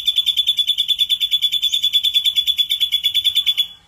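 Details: Ashy drongo singing energetically in a lure recording with rich filler phrases: a rapid, buzzy pulsed trill held at a steady high pitch for over three seconds, then fading out.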